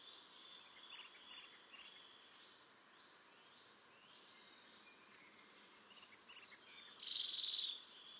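Crested tit giving two bursts of high, thin, purring trills with buzzy ticking notes, each lasting about two seconds, separated by a quiet gap.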